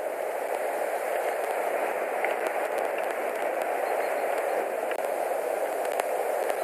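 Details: Even midrange hiss with a few faint clicks, and no animal calls.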